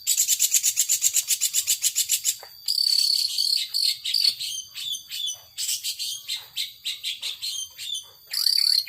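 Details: Long-tailed shrike in a cage singing 'power sobek' style, opening with a very rapid, even buzzing trill for two seconds, then breaking into varied harsh chattering phrases and another buzzy burst at the end.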